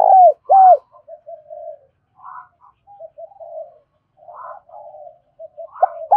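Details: Spotted dove used as a lure for wild doves, cooing in the giọng thổ sấm manner: two loud curved coos open, followed by a long stretch of faint, low rolling coo notes and a final strong coo.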